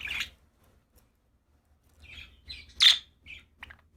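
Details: Happy budgies chirping: a loud, sharp, high chirp at the start, then after a quiet gap a cluster of shorter, softer chirps and one strong chirp, with faint low rumble underneath.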